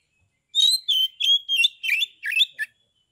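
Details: Caged Oriental magpie-robin from Kebumen, Central Java, singing in the open 'ngeplong' style to provoke rival magpie-robins into singing: six clear, varied whistled and chattering phrases in quick succession, with no other sounds.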